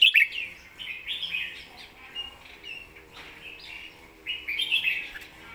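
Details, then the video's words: Caged red-whiskered bulbul kept for singing, praised for clear phrasing and quick, clean delivery; warbled whistles around 2–4k rise and fall in a few bursts with quieter gaps between. "สำนวนดี"เดินเพลงชัด ปากไวเสียงชัด#เสียงนกกรงหัวจุก"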